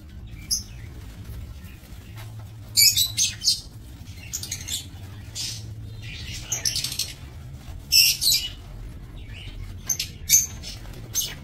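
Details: Lovebirds kept for breeding in an aviary, recorded 22 November 2024: high, sharp chirps and shrill squeaks in scattered bursts, several birds overlapping, with a low steady hum underneath.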